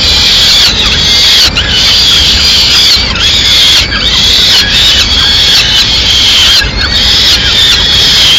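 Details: Peregrine falcon chicks in Madrid beg loudly at mid-morning as the female brings a small bird, giving harsh, wheezy squealing calls, overlapping and repeated more than once a second in a continuous clamour.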